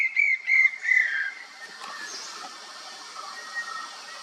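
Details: Banded bay cuckoo calling: three clear whistled notes in quick succession, the last one slurring downward, followed by a faint background hum.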